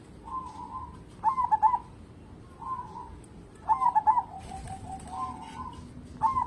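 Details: Local zebra dove, an eager singer kept as a lure to set other birds singing, repeating a phrase: a short soft coo, then a louder quick stuttering burst of notes, about every two seconds.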